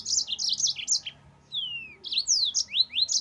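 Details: Master song of a yellow-fronted canary, delivered in the continuous 'ngerol' style for training caged birds. Choppy high notes tumble together, then a long descending whistle follows and rising slurred sweeps close the passage.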